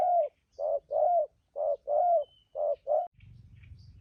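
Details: Spotted dove decoy bird prized for its voice; a series of hollow coos, short and long notes in alternation over three seconds, then the cooing stops and a low rumbling noise takes over.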